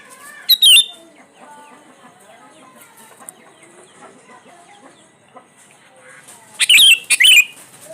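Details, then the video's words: Lively sooty-headed bulbul lure recording meant to spur quiet birds into song: a brief sharp burst early, then a longer double burst of harsh, rapid notes near the end over soft background bird chatter. "SUARA PANCINGAN BURUNG KUTILANG GACOR ISIAN COCOK BUAT KUTILANG MALAS BUNYI"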